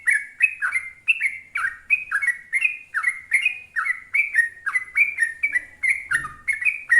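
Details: Energetic trucuk bulbul producing long song runs: a continuous chain of liquid, chuckling whistled notes, each dipping then lifting, delivered rapidly and evenly with light high clicks between.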